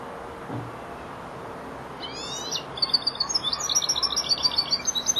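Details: Young European goldfinch, four months old and learning to round off its phrases, gives a quiet buzzy note, then breaks into a rapid high twitter of sharp repeated notes that grows louder to the end.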